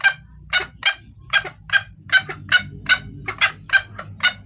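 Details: A female red junglefowl calls to summon the male, a call suited to luring males: about eleven harsh, clipped clucks in quick, slightly irregular succession over a low rumbling background noise.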